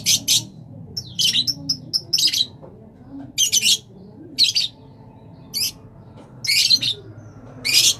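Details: Rosellas of various colour mutations giving harsh, buzzy squawks in short bursts, roughly one every two seconds, some doubled, with a faint low hum of a room underneath.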